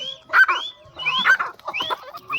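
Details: Grey francolin (Sindhi Irani teetar), a full-size breeder pair for sale in Kandiaro, Pakistan, male and female shown, free-roaming, giving shrill, rising whistled notes roughly every second over dense clattering and rustling noise.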